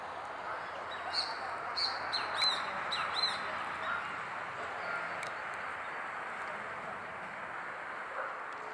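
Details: Rufous hornero at the Arroyo Itá urban reserve, Posadas, Misiones, Argentina: a few sharp, high chirping notes in quick succession over about three seconds, against a steady rushing background of wind or distant traffic.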